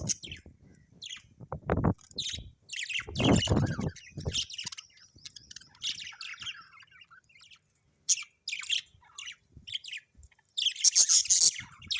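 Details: Pet budgerigars at home chattering in quick, irregular bursts of high, scratchy chirps and short squawks, several notes a second, with a few low thumps and knocks in between and a dense chirping flurry near the end.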